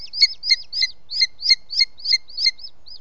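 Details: At a booted eagle nest in Els Ports Natural Park on a June evening in 2017, the male arriving with a captured bird: quick run of sharp, thin whistled notes, roughly three a second, steady then trailing off.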